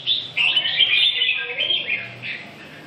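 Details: Short burst of Red-whiskered bulbul song, a dense chattering warble of bright whistled notes that trails off after two seconds.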